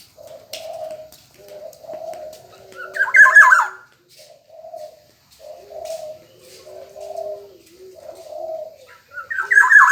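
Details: Black-naped oriole singing energetically: bright, slurred whistled phrases rise above a steady background of low, soft cooing notes repeated every second or so; a second phrase begins at the very end.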